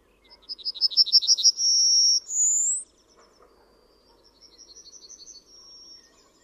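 A Yellowhammer sings a quick run of high, dry repeated notes ending in two long drawn-out notes, the last one higher. A fainter second song follows.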